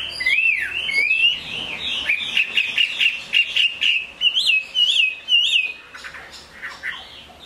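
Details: Chinese hwamei, a caged bird offered for sale, singing in the rain: loud clear whistled phrases of rising and falling slurred notes, a run of repeated upswept whistles, then softer trailing notes.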